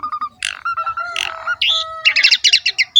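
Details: Asian pied starling singing a rich, varied song meant to get lazy or young birds singing: low whistles and grating bursts, then a long level whistle and a rapid series of buzzy chirps.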